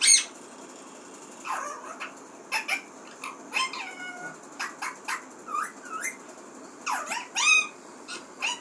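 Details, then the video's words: A pet talking parrot in a small room, giving short bursts of harsh, squawky calls with some rising-then-falling whistled notes and meow-like sounds, separated by brief pauses over a quiet background hiss. "बोलने वाला प्यारा तोता"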